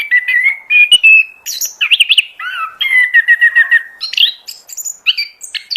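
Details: Lure song of an oriental magpie-robin, meant to draw other birds in: rapid, varied phrases mixing whistled slurs, buzzy trills and sharp chirps, delivered almost without pause.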